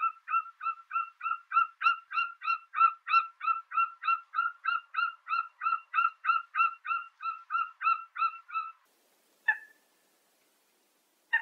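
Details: Eagle giving a long, rapid chatter of about three clipped, ringing notes per second for nearly nine seconds. After a pause come two single harsh notes, with silence around them.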